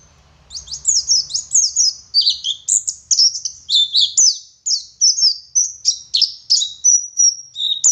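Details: West Java Oriental white-eye from Garut in full song: steady, rhythmic high chirps repeated rapidly, mixed with whistled slides, after a faint low hum at the start.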